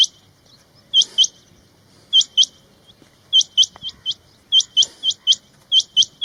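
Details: Several male rain quails calling together: overlapping high, metallic notes in pairs and short runs, growing busier toward the end, with faint low background noise.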